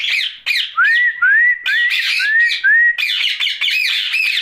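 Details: Ringneck parakeet vocalising at night: loud, rasping squawk bursts alternate with clear whistled notes that slide upward, repeated about every half second in a busy, chattering sequence.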